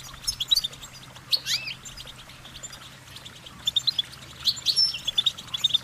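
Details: Goldfinch twittering: bright, high, rapidly repeated chirps and short warbles, with a curving slurred note early and a livelier flurry toward the end.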